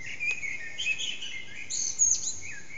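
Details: Eurasian blackbird morning song around 4:30am from an echoing backyard, bird not visible, HTC Desire phone recording: loud fluty whistles followed by a bright high twittering flourish and a descending note, all reverberant.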